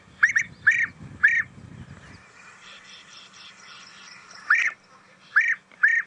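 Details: Bee-eater calls on a sunset safari drive at Djuma Game Reserve, South Africa, 11 January 2017, birds flying overhead: six short rolling trills in two groups, possibly a played recording, with engine rumble.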